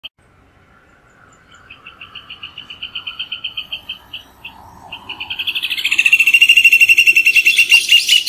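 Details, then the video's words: Rufous hornero song: a run of sharp, evenly spaced notes that speeds up and swells into a loud, dense chattering climax near the end. "Hornero Canto - Rufous Hornero Bird Song"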